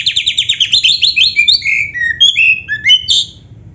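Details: Oriental magpie-robin, black-breasted type, used as a training song for caged birds: a fast run of repeated descending chirps, then clear slurred whistles rising and falling in pitch, loud and varied.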